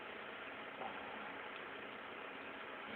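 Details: Steady broadband hum like an idling engine, with no animal voice standing out.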